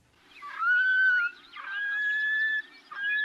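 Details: Long-billed Curlews trading contact calls back and forth, loud, clear whistles that slide up and then hold steady, three phrases in quick succession over a faint low hum.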